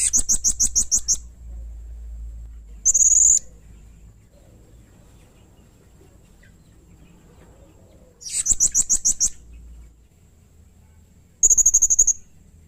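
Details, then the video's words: Lively blue-crowned hanging parrot (serindit) used as a lure sound: rapid strings of shrill, high chips alternate with short, steady, buzzy high trills. The bursts are separated by long quiet gaps with faint low background hum. "masteran suara burung srindit atau serindit gacor || Pancingan suara burung serindit"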